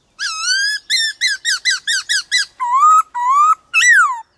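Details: A white-cheeked laughingthrush sings to provoke other birds, with a rising whistle, a fast string of seven clipped arching notes, two long upslurred whistles and a final loud downslur.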